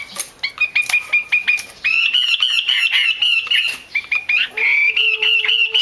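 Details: Female Chinese hwamei calling, used by bird keepers to stir males into singing: rapid strings of clear whistled notes near one pitch, short sharp chips, then a steadier run of warbled phrases with a faint low tone underneath.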